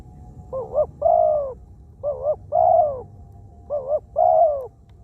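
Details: Wild-caught spotted dove kept as a ground decoy and noted for cooing often; three paired phrases, a quick dipping double note then a long rolling croo, with a faint steady tone behind.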